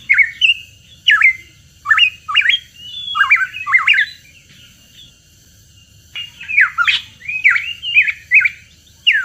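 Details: Hooded pitohui lure song: lively series of short, squeaky, up-and-down whistled notes with a rough edge, given in quick clusters, a brief lull near the middle, then another busy run.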